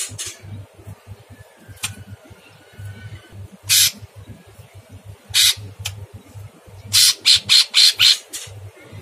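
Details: Rough, very harsh calls of a Sooty-headed bulbul used as masteran for cage birds: a few sparse rasping bursts, then a rapid series of five harsh notes near the end, with a thin whistle and a low hum in the background.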